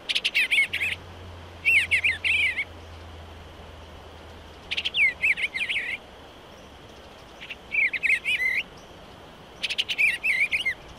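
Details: Eastern bluebird singing repeatedly: five short phrases of gurgling, slurred warbles, each about a second long, spaced two to three seconds apart, over a faint low hum.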